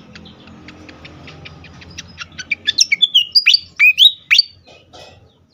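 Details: Agitated fantail singing: a run of rapid sharp clicking ticks speeds up, then gives way to loud whistled notes that sweep up and down, some falling sharply, with faint low hum behind.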